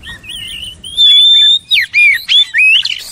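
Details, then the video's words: Oriental magpie-robin song: a softer wavering whistle leads into a long steady whistled note, followed by loud downslurred and upslurred phrases in quick succession. "DENGAR KICAUAN JOSS INI"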